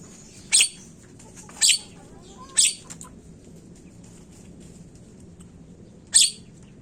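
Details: Lure audio of a Javan myna for prompting quick calls: three rough squawks in quick succession, a pause of three seconds, then a fourth, over quiet background hiss.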